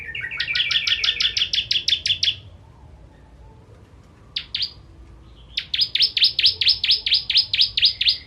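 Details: Bar-winged prinia (ciblek), song used for training contest birds: two fast series of sharp, high, descending 'chip' notes, about two per second, the second series after a pause with a brief burst between.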